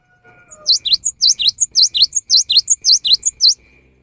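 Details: Cinereous tit singing in the afternoon, its song said to prompt other birds to join in: a rapid series of high, sharp two-part whistled notes repeated about twice a second for three seconds, with a faint low whistle at the start.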